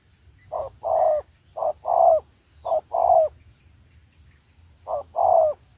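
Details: Trapping decoy spotted dove calls in low two-note coos, a clipped note then a drawn-out one, four pairs with a pause before the last.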